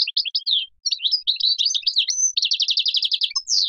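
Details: Energetic Major goldfinch song of fluid chirps and slurred whistles leading into a fast, even trill of repeated tinkling notes, ending on a falling sweep.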